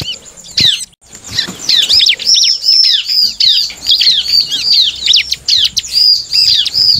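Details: A bar-winged prinia singing to stir up rivals: a short isolated note and a brief silence, then a steady stream of rapid, high chittering notes, about two per second in clusters.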